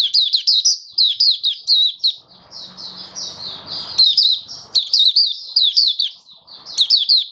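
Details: Recorded 21 October 2022, a captive oriental white-eye on its first day with a song-display booster pours out an unbroken stream of high, jerky, downslurred twitters, with faint low household noise in the middle seconds.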